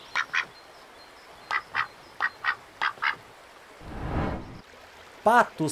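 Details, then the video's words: Ducks at a lagoon give short nasal quacks, mostly in pairs, roughly every half second, followed by a splashing rush of noise and a final louder call. "Som de Pato - Patinhos na Lagoa - Duck Sound"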